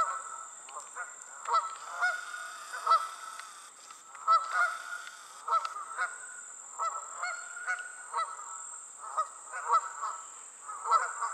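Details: Geese passing in flight call over and over, with resonant honks and shorter overlapping notes from several birds spread across eleven seconds, rising and falling in loudness, above a faint high hiss.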